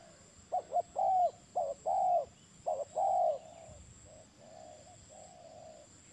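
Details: Spotted dove calling in a run of short double notes, each answered by a fuller, longer coo. The phrases come about once a second and then fade into softer, quieter trailing notes.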